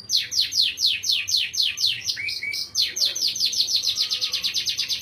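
Canary song: a fast, bright roll of repeated high down-slurred notes, about five a second, broken briefly by a lower whistled phrase before the trill resumes.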